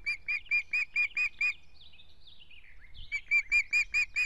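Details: At an osprey nest in Estonia, June 2017, week-old chicks fighting over dominance: a rapid train of sharp, even whistled notes about seven per second, a pause filled with faint wavering squeaks, then the loud notes resume.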